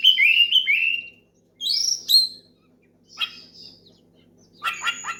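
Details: Oriental magpie-robin, singing loud to lure a rival and make others join: whistled descending phrases, a high bright note pair, then scattered harsh chips with quiet gaps between.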